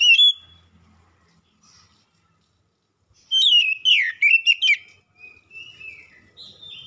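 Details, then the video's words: Oriental magpie-robin lure song: after a quiet gap, a burst of rich, twisting whistles with sharp chipped notes, then softer drawn-out whistles trailing off. "PANCINGAN KACER LANGSUNG NYAUT"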